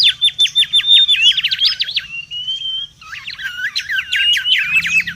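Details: Wild Mangrove whistler singing excitedly for luring and tutoring: rapid repeated trill notes, a brief rising whistle, then another fast chattering run of sweeping notes.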